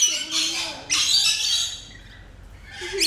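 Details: Rainbow lorikeet producing two loud, rasping screeches that follow each other quickly, then a quieter pause, with a thin, lower whistled tone underneath and a sharp squawk at the end.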